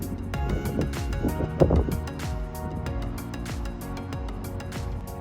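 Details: Steady music with low rumbling tones and faint vehicle-like noise, with no animal calls to be heard.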